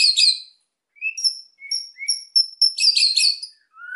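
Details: Lively white-rumped shama song meant to stir silent birds to sing, opening with a buzzy rattle, then short clear whistles at varied pitches, a rich chattering burst and a final low rising whistle.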